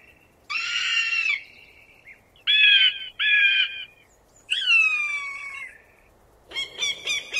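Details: Falcon calling with harsh, noisy squawks, then a loud scream that slides downward and fades. A short burst of rapid, clipped notes closes the sequence against a quiet background.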